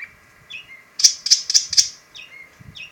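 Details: Long-tailed shrike (pentet) singing: four loud harsh rasping bursts in quick succession, framed by short whistled notes that dip downward, against a quiet background with faint low thumps.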